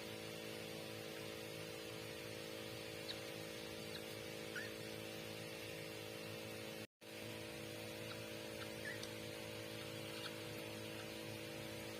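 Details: Steady electrical hum and hiss fill the room, with a brief dropout and no clear animal calls. Only a few faint, indistinct ticks break the constant background noise.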